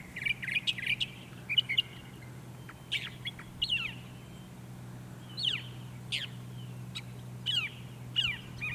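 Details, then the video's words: Northern Mockingbird singing on Cape Cod, Massachusetts, 14 October 2023: a varied run of short, harsh and sweet phrases, bursts every half second or so, over a low steady hum. "singing N. Mockingbird"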